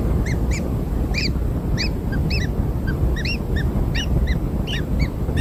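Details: Newborn kingfishers receiving black insects chirp in short curved notes, rising and dropping, spaced unevenly and sometimes paired, over constant low-pitched noise.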